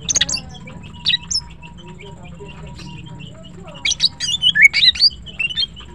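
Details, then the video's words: Green cucak singing melodiously in the morning: a few sharp high chirps, a quieter stretch, then a lively rush of varied whistles, trills and chatter toward the end, with a steady faint background tone. "Green Cucak birds sing melodiously and are pleasant to listen to"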